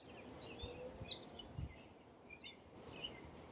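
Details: A common redstart in New York gives a quick, very high run of thin, sweet notes lasting about a second and ending in a sharp downslur, followed by a few faint chips.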